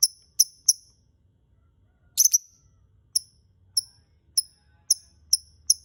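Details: Lovebird calls played as a lure for singing birds: three quick high chirps, a brief harsh double squawk, then evenly spaced thin chirps about every half second.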